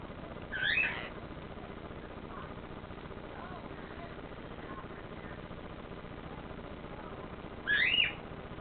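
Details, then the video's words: Sinjin, a 13-year-old male Panama amazon parrot, recently rehomed and used to being an only bird, gives two short, loud rising whistled calls about seven seconds apart over a steady background hiss. "Sinjin the Panama Amazon Parrot"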